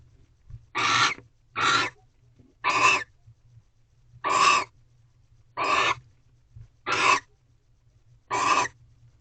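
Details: Mating ritual of barn owls inside a nest box, 1:13 am on 3/2/23: seven short, rough, breathy screeches spread over nine seconds at irregular intervals, each harsh and wideband, with a faint low hum and soft scuffles between calls.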